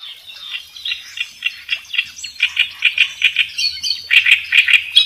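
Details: Kerak besi singing energetically, used as a master recording for training songbirds: a steady run of short, sharp chirping notes around two to four kilohertz, repeated roughly twice per second, growing louder toward the end.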